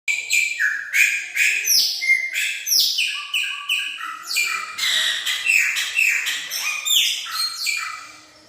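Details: Chopi blackbird singing prolifically; a loud, continuous run of clear whistled notes, many sliding steeply down or up, delivered in rapid varied phrases with hardly a pause, fading at the end.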